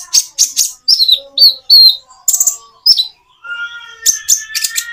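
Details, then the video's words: Common iora song with natural pauses, used to get birds that seldom sing to answer: high chirps and downslurred whistles, then a steady lower whistle under rapid twittering. "Kicau burung konin jeda natural untuk pancingan"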